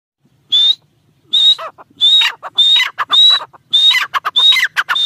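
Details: Female teetar, the black francolin, gives loud calls: a thin high whistle slides upward and runs into harsh chattering notes, repeated in bursts about every half to one second, with short silent gaps between.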